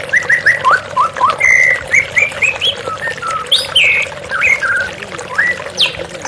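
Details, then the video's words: White-rumped shama pouring out a varied song over a background of running water: quick repeated whistles, upward slurs, and sharp higher notes, with loud melodic phrases following one another closely. "TERAPI MURAI BATU Stres Macet Langsung pulih _ Terapi Murai Dengan Suara Air Mengalir"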